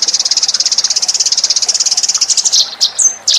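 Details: Eurasian tree sparrow lure call: a fast, even trill of high chirps for over two seconds, breaking into a few separate louder chirps and one thin whistled note.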